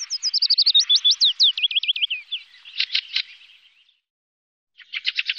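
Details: Fieldfare recorded at Wittlich in 2018: a rapid falling sequence of thin squeaky whistles, a few harsh chack notes, a brief silence, then another quick burst of harsh notes.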